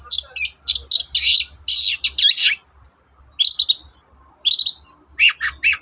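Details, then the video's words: Morning song of a long-tailed shrike, played as a lure to get other shrikes singing: a quick string of harsh, scratchy bursts, then short grouped chirps separated by pauses of about a second. "SUARA PANCINGAN BURUNG CENDET GACOR PAGI HARI"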